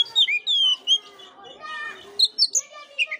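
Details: Oriental magpie-robin song for stimulating a dull bird to sing: a few long, pure, down-slurred whistles, a nasal harsh phrase, then quick high chirps.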